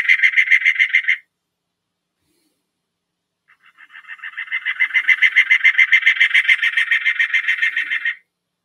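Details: Cactus Wren, a desert bird, recorded in Arizona, giving its raspy "marble-throat" song: harsh, rapidly repeated chugging notes in two bursts, a short one then a longer one that swells in volume.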